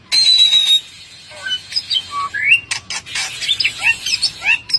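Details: Bali myna, a caged songbird, singing a varied, loud medley of harsh squawks, rising whistled slurs and clicks in quick bursts, with brief pauses between phrases.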